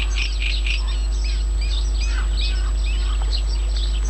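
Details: Wild birds sing at Yanovka, Novocherkassk, on 29 May 2017. Several birds give overlapping chirps and short twittering phrases, high and bright, over a steady low rumble.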